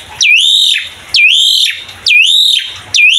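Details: Asian pied starling pumping out mompa-style song to prompt young starlings: four bright, penetrating whistles, each a sharp dip then a sustained rising note with a harsh edge, spaced roughly a second apart over a quiet background.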